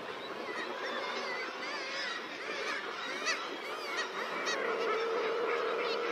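Guillemots crowing in a dense chorus of harsh, rolling, growling calls, with a razorbill's growl and higher kittiwake calls mixed into the colony din.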